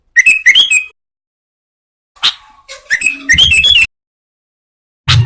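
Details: Sooty-headed bulbul calling as a trapping lure for wild bulbuls: clusters of bright chirping notes broken by gaps, with scattered clicks and a brief low hum.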